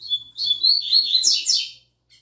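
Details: Young double-collared seedeater (papa-capim) singing its learned tui tui zel zel song: clear whistled notes that run into a fast, buzzy, rising phrase and end in a brief trill. A faint low hum sits underneath.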